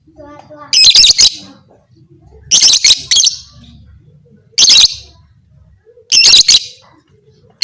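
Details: Lovebird chatter said to drive other lovebirds to fight: five bursts of high, scratchy, quickly repeated notes at irregular intervals, with soft low hum and faint chirps between.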